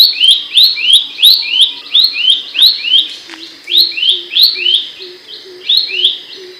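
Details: Shrill, sharp song of Abbott's babbler for training songbirds. Even rising whistles about three per second, high clicks above, and a soft low pulsing note repeating beneath in the second half.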